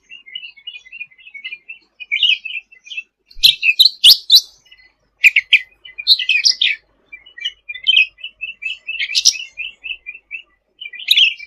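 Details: Sooty-headed bulbul singing vigorously, recorded as a tutor track for cage birds. Strings of short high chirps and twittering notes run throughout, broken by louder scratchy bursts near four and six seconds and sharp clicks.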